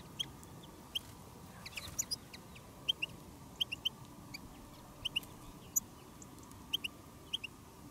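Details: Goldfinch decoy calling wild goldfinches in open country on a trapping-hobby field day; short, sharp high chirps, often in pairs, repeat steadily throughout, with a brief rustling burst near the start.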